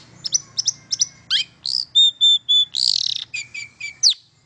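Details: Long-tailed shrike song played to get silent birds singing: a few quick chips, then three clear sustained whistles, a buzzy rattle, and more drawn-out whistled notes.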